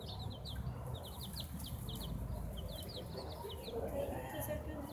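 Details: Chicks in a rosemary pot, 20 November 2018, peeping steadily: many short, high, rising peeps in quick overlapping runs, over a low background rumble and a few faint clucks.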